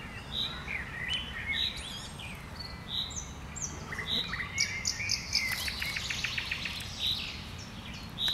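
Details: Common nightingale singing in bushes: clear whistled notes recur at intervals, mixed with a rapid rattling series of repeated clicks and short chirps, over background hiss.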